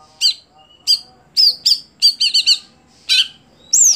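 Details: Greater green leafbird, a contest bird no longer singing on the competition pole, utters high, ringing chirps in quick bursts, some doubled and tripled, closing on a sharp rising-and-falling squeal, with a faint low hum behind.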